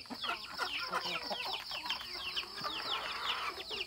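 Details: Chickens kept on a rural home farm give rapid, thin, high peeps that slide downward, several per second, in a busy overlapping flock chatter over a faint steady high whine.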